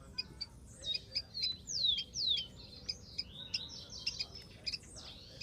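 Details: Rufous-collared sparrow singing in the wild: high clear whistled slurs sliding downward, mixed with short chirps and other birds' notes, repeated over a light rural noise background.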